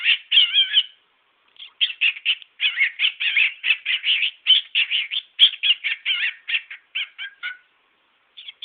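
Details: A pet cockatiel, a male, runs through part of his repertoire with a steady string of short, squawky chirps, about four per second, after a brief opening warble and a pause.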